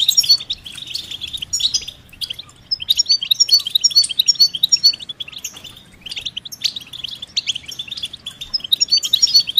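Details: European goldfinch song of the betbeta and setseta styles, played to coax a silent male into singing; bursts of sharp high twitters and trills are broken by brief quieter gaps.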